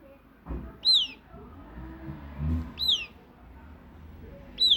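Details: Southern lapwing chick calling: three high, thin downslurred whistled peeps spaced about two seconds apart, each sliding down sharply, over soft low background rumble.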